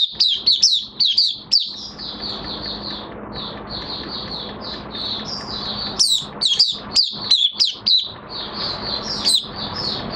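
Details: In minor moult, a caged Oriental white-eye sings on 3 June 2022: two clusters of fast, bright, steeply slurred high chirps, each run several notes long, with gentle continuous twittering and a faint hum between.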